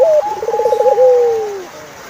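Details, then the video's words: Single turtle dove phrase heard close: a brief upturned note, a fast wavering trill, then a smooth coo sliding slowly downward and fading. A faint level whistle runs above it. "Sound of Turtlefove"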